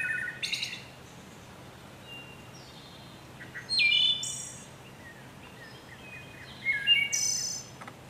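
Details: Wood thrush delivering three separated song phrases, each a set of mellow whistled notes closing with a high, ringing, buzzy flourish. Pauses of a few seconds fall between phrases, with faint high notes in the background.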